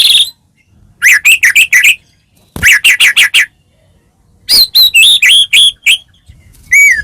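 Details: Caged white-rumped shama, Medan type, full gacor song as a lure: bursts of five quick chirped notes separated by pauses, then a run of high twisting whistles and a rising final note.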